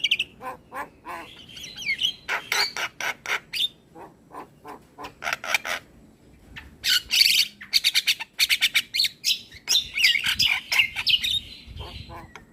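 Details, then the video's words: Morning song of an Asian pied starling, used to teach young birds: fast runs of sharp clicking notes mixed with scratchy squawks and bursts of harsh chatter. "Masteran Burung Jalak Belajar Bunyi Putarkan Suara Jalak Kebo Setiap pagi"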